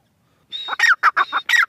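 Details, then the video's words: Brief outburst from a female francolin: a whistled note over rasping tones, then three or four short coarse downward-sliding calls in quick succession. "madi teetar ki awaz"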